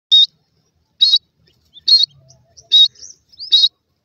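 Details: Grey francolin chicks in forest: high, thin peeps repeated roughly once a second, with faint softer chirps between them.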